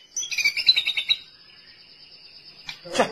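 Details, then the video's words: White-rumped shama gives a quick run of rich, varied whistled notes, then holds one long high steady whistle, followed by a brief rustling noise. "Burung Murai Cocok Buat Masteran"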